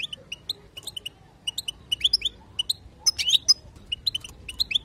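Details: European goldfinch female chatter, used so the male will sing; spaced high twittering notes with a denser buzzy flurry in the middle.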